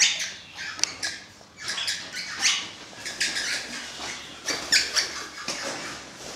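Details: A crimson rosella (Platycercus elegans), an orange-blue mutation, gives harsh, scratchy squawks and chattering bursts, roughly one or two a second, high and noisy, with faint rustling between calls.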